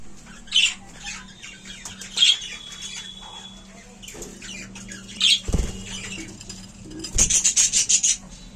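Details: Budgerigars kept as a colony give scattered short scratchy squawks and chirps, with a rapid pulsed chattering burst near the end, separated by quiet stretches and a low steady background hum.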